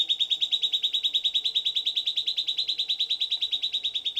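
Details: Silvered antbird (Sclateria naevia) singing a long, even trill of sharp, high repeated notes, roughly three per second, held at a steady pitch throughout, with quiet background.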